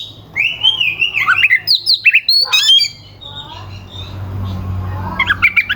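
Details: Oriental magpie-robin in aggressive song used to provoke rival birds: harsh squawky notes and sharp whistles in a quick burst, a pause with low hum, then renewed high notes.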